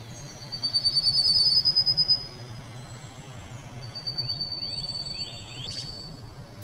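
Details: Rufous-faced Warbler (Abroscopus albogularis) at Xitou, Taiwan, on 18 May 2018: very high, thin, insect-like trills, a rapid buzzy burst, then a second trill and a few slurred notes, over a low rumble.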